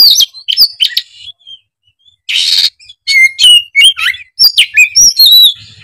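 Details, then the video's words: An oriental magpie-robin sings emphatically, running through its learned material: piercing whistled slurs and quick twittering notes, one rasping noisy burst, then a rapid series of clear, high whistles. "Kicauan kacer gacor emosi bongkar isian"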